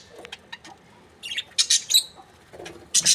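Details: Happy budgies: a few soft ticks, then short bursts of shrill chirping and squeaks, ending on a bright squawk.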